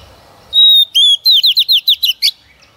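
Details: Lure female Oriental magpie-robin singing to stimulate males: one long level whistle, a lower whistle, then six quick bright descending notes ending in a sharp chirp.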